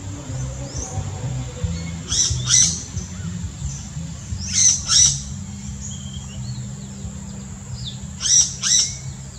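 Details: Yellow-rumped cacique (Cacicus cela) in the Brazilian Amazon, song: short bursts of sharp, high, crackling notes in pairs, roughly every three seconds, over a steady low hum.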